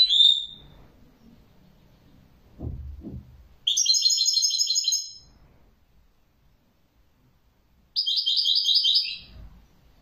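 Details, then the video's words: European goldfinch twittering: one short opening note, soft knocking sounds, then two buzzy, rapidly trilled phrases of about a second each, separated by a quiet pause. "تغريد جميل لطائر جميل"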